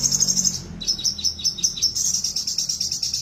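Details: Caged crested jay with no tail, singing vigorously: a high, rapid, rattling trill of fast repeated notes. It breaks briefly just before one second, then resumes as a steady chattering series to the end.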